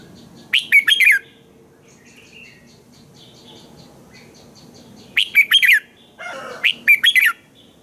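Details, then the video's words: Morning song of a red-whiskered bulbul used as a training lure for other bulbuls: two bursts of quick, sharp whistled notes separated by a long quiet gap, with soft chatter and low hum behind. "Chào mào hót sáng hay - DÙNG ĐỂ LUYỆN KÍCH BỔI CĂNG HÓT"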